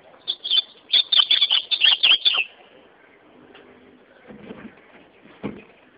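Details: Singing ultramarine grosbeak: a lively phrase of rapid, high, sweet whistled notes for about two seconds, then quiet with faint low knocks and rustling.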